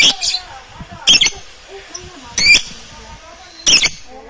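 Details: Lovebirds calling loudly in a crowded group, phone camera recording; piercing rasping squawks come roughly every second, with faint chirps and low background murmur between them.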